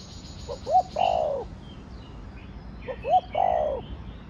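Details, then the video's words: Spotted dove cooing in the 'thổ đồng' voice style, played to stimulate other doves: two phrases, each a couple of short soft lead-in notes, a sharp hooked note, then a long falling coo, with faint high chirps of other birds. "Cu gáy giọng Thổ Đồng Thúc, Gù kích bổi nhanh nổi/ tiếng chim cu gáy giọng thổ đồng gáy, cu đất gáy"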